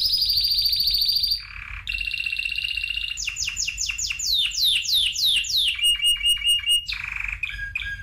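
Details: Spanish timbrado canary song in varied phrases: high trill, lower rolling notes, rapid downward sweeps, a chattering section and repeated short chirps, with a low background hum.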